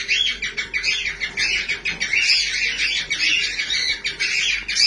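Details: Cockatiels singing happily together: a thick, unbroken wash of scratchy chirps, squawks and short whistles from several birds at once, pulsing in quick bursts without a pause.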